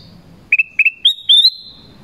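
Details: Black-crested bulbul call, used to call wild birds of its kind: a brief run of clear whistled notes, first short doubled chirps on one pitch, then a higher, longer sliding whistle, over quiet low background hum.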